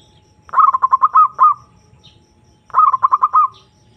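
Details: Zebra dove, or perkutut, calling to a rival: two phrases of rapid, trilling coo notes, the first with about eight notes and a trailing tone, the second shorter, with a faint high chirp between.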